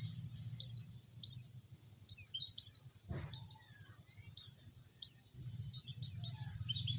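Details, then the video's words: Provocation song of a white-eye, used to stir up other white-eyes: bright, high, downward-flicking whistles, about a dozen in all, spaced irregularly and bunched into a rapid cluster near the end. A brief thump breaks in midway over a low background hum. "pancingan burung pleci sekaligus menaikan emosi pleci"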